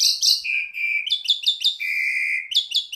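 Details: Asian pied starling song recorded as training material for cage birds, made of long steady whistles broken by quick repeated chirping notes and high buzzy overtones, delivered in a continuous stream.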